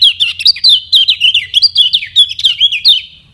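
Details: Lemon-bellied white-eye (Lombok kecial kuning), used to get other birds to learn and sing: a rapid, continuous warbling chatter of high twisting notes, steady for about three seconds before trailing off.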